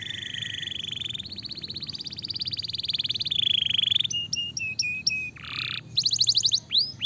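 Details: Canary song used as a lure to make a silent bird start singing again: varied high trills and buzzy rattles shift into clipped repeated notes and rising whistled slurs.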